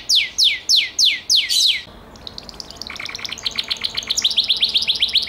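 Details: Gloster canary singing: five loud falling whistles in quick succession, a brief pause, then a rising, rattling trill of short repeated notes that builds in volume.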